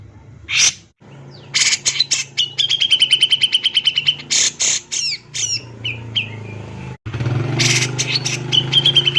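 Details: Grey-cheeked bulbul (cucak jenggot) male in full, emotional song used as a lure: loud raspy blasts lead into a fast, even series of clipped repeated notes, followed by scratchy rising calls and another burst, with a constant low background hum.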